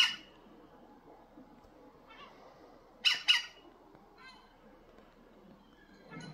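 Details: European green woodpecker giving a loud, harsh double squawk midway, with a fainter squawk at the start and softer calls before and after against quiet background noise.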